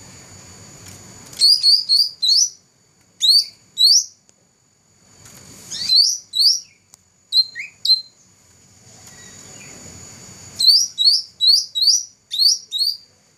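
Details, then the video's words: A 2014 first-place champion black-throated laughingthrush sings three separate phrases of high, sharp repeated notes, about four to six per phrase, with faint low background rumble between them. "Burung cucak rante juara 1"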